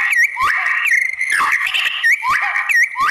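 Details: White-rumped shama song to provoke other shamas to respond: repeated loud slurred whistles, each dipping and rising, about every half second, with buzzy rich tones between them.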